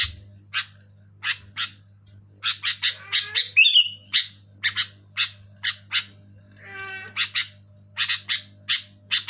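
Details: Loud, persistent sooty-headed bulbul giving rapid bright chirps, a burst of slurred whistles in the middle and a short rattling buzz, over a steady low hum.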